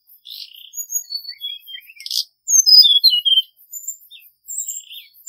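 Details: Hill blue flycatcher, recorded as a trapping lure: soft high twittering, then a loud run of sweet descending whistled notes, then quieter chirps.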